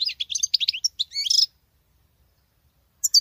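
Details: Female European goldfinch singing like a male: a quick run of bright chirps and twitters ending in a buzzy trill, then silence and a last short note.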